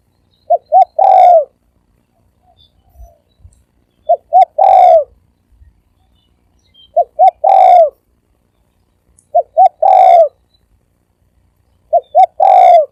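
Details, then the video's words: Spotted dove in fast gáy gù cooing, thổ ồm and thổ vang voice: five phrases, each two quick short hoots and then a loud, harsh, drawn coo, roughly every two and a half seconds, with faint low knocks between phrases. "Tiếng chim cu gáy thổ ồm vang gáy gù siêu tốc siêu nhanh"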